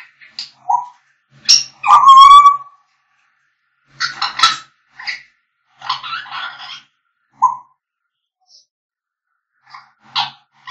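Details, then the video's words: African grey parrots singing and whistling: short low hoots, a long clear whistle with bright harmonics, then bursts of raspy chatter and scattered squawks separated by quiet gaps. "African grey parrots singing"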